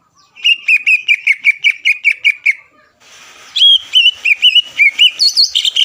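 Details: Lively greater green leafbird song played to provoke competing leafbirds and keep their mood steady for contests: a quick run of evenly spaced whistled chirps, a short gap, then higher, looping warbled notes.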